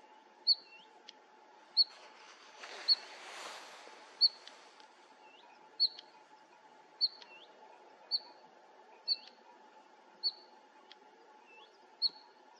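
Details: Bluethroat at Fokstumyra nature reserve, Norway, 2021, giving sharp, high chirps about once a second, with soft hooked notes between, over a steady low hum and a brief rustle.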